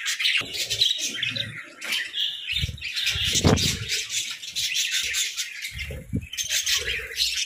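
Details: Pet budgerigars in a group chatter, giving a busy mix of high chirps, warbles and squawky notes with brief pauses, while low knocks and bumps sound now and then.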